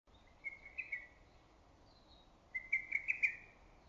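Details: Lesser cuckoo calling in early summer from woods and trees, its loud voice echoing through valley and forest: two emphatic whistled phrases near the same pitch, the second a rapid, accented run of notes, with quiet gaps between.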